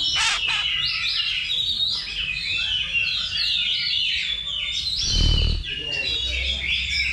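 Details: Oriental magpie-robins in a level 2 simulated song contest held as practice before real competition. Dense overlapping whistled and chattering phrases sweep up and down, with a brief low thump near the end.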